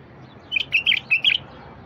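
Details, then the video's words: Wild bulbul song, aimed at making silent wild bulbuls sing: one fast, rich warbled phrase of four liquid whistled notes in under a second, clean background. "تغريد لفتح البلابل الوحشية الساكتة"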